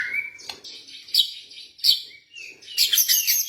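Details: Captive blorok white-rumped shama in lure song for birds reluctant to sing: a brief clear whistle, then high thin chirps and sharp scratchy notes, closing with a dense burst of high twittering.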